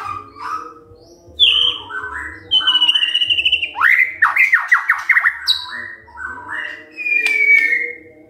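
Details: Morning song of a white-rumped shama, played to rouse quiet shamas into answering: varied whistled phrases, a fast run of descending slurred notes, and a long drawn whistle near the end, with a low hum beneath.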